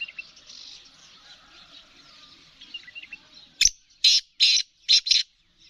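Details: Female black francolin voice: after a sharp click, four harsh, rasping notes come in a quick rhythmic series, with soft chirping birds in the background.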